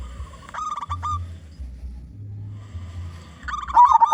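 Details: Loud local zebra dove used as a lure for other doves: a brief run of clipped hoots, then quiet low humming, then a rising burst of bubbling coos at the end.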